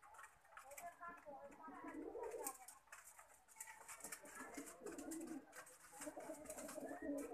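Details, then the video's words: Low burbling coos from Lakha pigeons, repeated phrases swelling and fading, with several birds overlapping and light clicking and rustling indoors. "लखा कबूतर"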